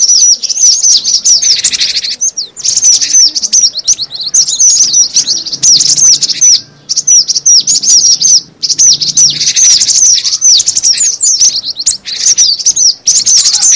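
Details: Lure recording of cinereous tit: long stretches of busy, twittering high chirps tumbling over each other, broken by a few short pauses, with a faint low hum underneath at times.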